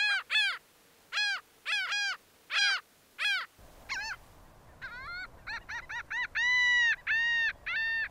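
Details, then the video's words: Laughing gull calls: paired, nasal downslurred notes, then after a cut over a hissing background a faster run of short notes ending in longer, even, drawn-out laughing cries. "Sounds singing Laughing gull, sounds, singing Aztec seagulls"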